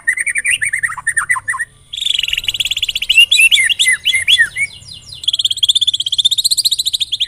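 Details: White-rumped shama singing loudly: rich varied phrases of slurred whistles and rapid trills, shifting from lower sweeping notes to fast high chattering runs, with a faint low hum underneath.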